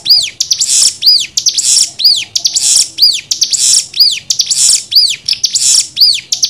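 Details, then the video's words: Cigun tutor song, nembak style: bright down-curving whistles that rise then fall, each followed by a harsh buzzy rush, repeated about every second in a regular rhythm. "MASTERAN CIGUN NEMBAK 6 VARIASI"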